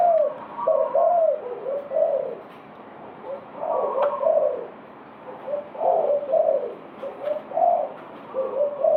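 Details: Kept spotted dove cooing: soft, low, hollow phrases of several short coos followed by a drawn-out note, repeated through the clip over a steady hum of background noise.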